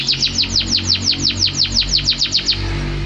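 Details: Canary singing, unedited recording: a steady series of about fourteen bright, high notes, each sliding quickly downward, repeated roughly five times a second in an even, bouncing run.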